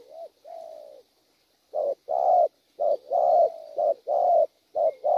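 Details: Wild-caught spotted dove with a well-formed coo sequence: two smooth introductory notes, then about four pairs of clipped and drawn-out husky coos, loud and close.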